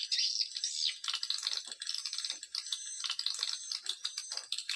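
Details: Swiftlet lure call played to attract swiftlets: dense, continuous high-pitched rattling chirps and clicks tumbling over one another, with brief gaps and uneven bursts throughout.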